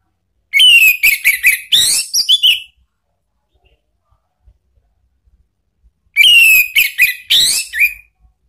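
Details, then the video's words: Orange-headed thrush singing an open, loud ngeplong-style lure song meant to make a pet bird answer. Two bursts of rapid, varied whistled and buzzy phrases, each about two seconds long, separated by a silent pause. "jangan heran kalau ANIS MERAH mu seketika NYAUT ¦ PANCINGAN NGEPLONG"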